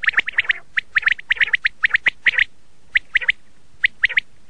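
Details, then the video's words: Common quail in its red shade, locally laal batir, calling in fast runs of sharp, raspy chirps, grouped in twos and threes, then slowing to sparser notes near the end. "Red shade common quail sound/ laal Batir ki awaz"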